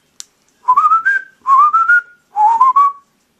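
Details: Pet male cockatiel, recorded 24 January 2011, that is fond of its own reflection, whistles three clear, rising phrases, each sliding upward to a held note, while its owner coaxes it to talk.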